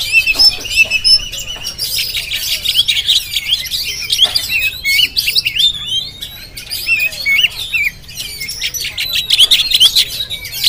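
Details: Jampang-type Oriental magpie-robin from Indonesia pouring out a rapid, high-pitched song of sweeping whistles, trills and sharp chirps, opening with a few clear drawn-out notes before a busy jumble of phrases.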